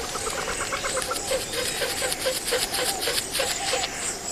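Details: A Grey (Western) Plantain-eater, a loud, vocal species living in groups, gives harsh, laughing yelps that speed up and grow louder, about four a second. They overlap in a wild duet or chorus, with a faint high hiss behind.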